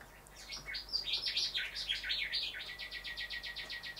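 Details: Rufous whistler male singing at windows where he sees his reflection: a few varied whistled notes that run into a fast, even series of bright repeated notes, roughly five or six per second, to the end.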